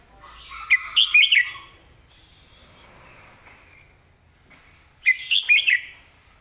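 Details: Master song of a caged red-whiskered bulbul in southern Thai style, sung to teach other birds: two loud bursts of rapid, rolling warbles about four seconds apart, with soft chatter between.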